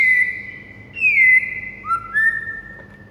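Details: White-rumped shama recorded in the morning as a master for training other songbirds: drawn-out pure whistles gliding slightly downward, a low whistle, then two rising notes, with steady background hum.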